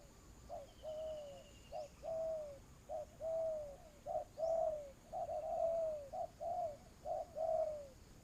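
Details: Spotted dove cooing in a recording made for trapping with a ground decoy: short, low, slightly falling coos repeated in quick irregular runs, with a faint thin whistle above.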